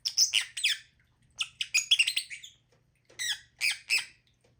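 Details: Harsh, high squawking notes from a lovebird, delivered in quick clusters of several raspy chirps, then a pause and another cluster.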